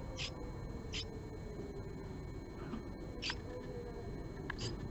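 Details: Japanese tit, a female visiting a nest box where a male waits, morning of March 20, 2022: four separate thin high chips, roughly a second apart, over faint low rumble.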